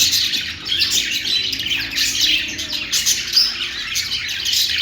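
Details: Budgerigar, an Australian parrot, singing a dense, continuous chattering warble of scratchy high chirps and squeaks with no pauses throughout.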